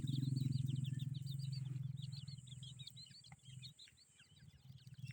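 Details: Grey francolin chicks in a family group give rapid, high thin chirps in a continuous chattering stream over a steady low hum.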